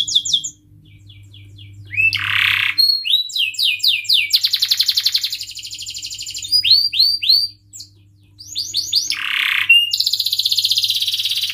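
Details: Canary in lively cuit-cuit chirping and rolling ngerol song, used to coach young canaries learning sounds: high chirp series, a loud buzzy burst, then rapid rolled trills and sweeping notes broken by brief pauses, over a steady low hum.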